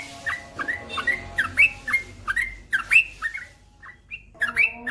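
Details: Trucukan, the yellow-vented bulbul, singing energetically: strings of sharp, slurred whistled chirps at a fast steady pace, a brief quieter gap near the end, then the chirping resumes.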